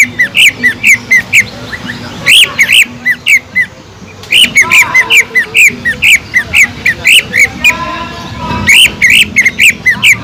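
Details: Long run of greater green leafbird song with tengkek udang (kingfisher) fill: loud, chattering slurred notes in dense series, briefly pausing near the middle, then resuming with squawky, whistled phrases over a low hum.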